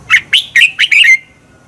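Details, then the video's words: A red-whiskered bulbul sings a morning training song, a quick phrase of five bright, liquid notes rising and falling and ending in a short trailing whistle; this double-twisted voice is used as a decoy to stir bulbuls into competitive singing. "Luyện chào mào hót sáng Giọng xoắn kép hay KÍCH CHIM CĂNG HÓT ĐẤU"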